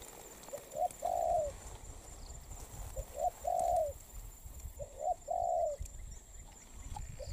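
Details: Wild-caught spotted dove in molt, noted for good cooing, sings three spaced phrases roughly two seconds apart, each two soft short notes then a long low coo that falls at the end, over faint low rumble.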